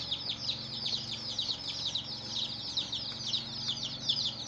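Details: A group of hen's chicks peeps steadily: high, thin, slightly downward-slurred notes overlapping in a busy, unbroken stream at even loudness.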